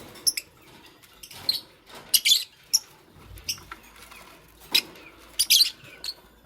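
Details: Nest-building Fischer's lovebirds, a green bird with a pastel one, chirping often: shrill, clipped notes and brief chattering bursts spaced irregularly, over light rustling of nest material.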